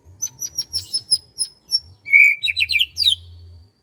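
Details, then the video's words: Birdsong on a rice-field morning: a string of thin high ticking notes, then a loud whistled note and a quick cluster of jumbled, sweeping chirps, over faint low background hum. "SUASANA PAGI DI SAWAH SAMBIL DENGERIN KICAUAN BURUNG"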